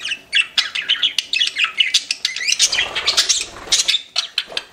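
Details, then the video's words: Pet budgerigars chirping, several birds together: dense bursts of rapid, warbling chirps and short squawks in a high register, notes tumbling over one another with brief pauses, plus a soft wing-flutter sound midway. "CUTE PET BUDGIES CHIRPING"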